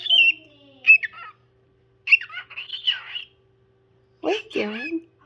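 A parrot gives bursts of squawky, chattering notes with whistled, speech-like warbles, in three separate phrases with short pauses between.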